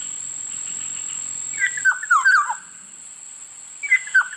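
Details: Fluty whistled phrases from a Black-naped oriole (kilyawan): a run of gliding, downward-slurred notes near the middle, then a shorter similar phrase near the end, against a steady high hiss.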